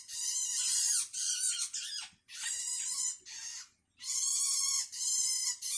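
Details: A hungry young Long-tailed shrike begging its parent with loud, drawn-out grating screeches. The rasping calls are richly layered, last up to a second each and come in close runs broken by brief silences.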